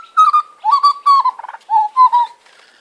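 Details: Butcherbird family of mother, father and offspring on a warm spring afternoon in Sydney, practising territorial calls, recorded on a smartphone; rich fluted whistled phrases with slurred notes, some falling and some rising, in quick bursts.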